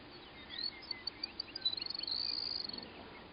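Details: Singing male Baird's Sparrow on its territory in North America: a few thin, high tinkling notes, then a quick, slightly lower musical trill, over faint background hiss; territorial and courtship song.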